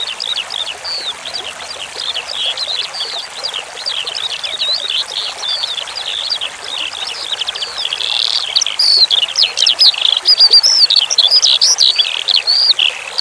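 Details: Eurasian skylark (branjangan) song prepared as a tutoring track, mixed with flowing water: high, rapid, varied chirps and slurred notes, faint under a steady trickle at first, then louder and denser in the second half.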